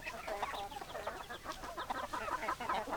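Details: Several hens clucking together, a dense overlapping chatter of short nasal clucks and murmurs with no pauses across three seconds.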